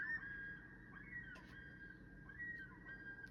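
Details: Loons calling at night on the shield: a long, steady whistled tone held through the whole stretch, wavering slightly with brief rising inflections, soft and distant over a low background hum, with a few short clicks.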